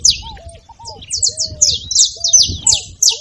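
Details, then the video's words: Saffron finch singing, meant to prompt a silent canary: a quick sequence of bright high slurred chips, several in a row, over soft low arched whistles and faint rumble. "canário da terra com belo canto pra foguea seu canário frio"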